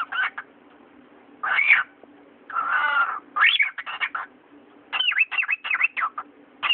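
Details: Pet cockatiel talking: a domestic bird gives clipped speech-like syllables and a longer rough, voiced phrase, then a fast string of chattering, whistled notes, with a constant low background hum.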